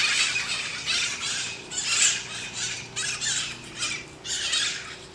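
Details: Parrots in Sunnyvale making noise: harsh, broad squawks in bursts of about half a second, repeated several times, recorded on a phone outdoors.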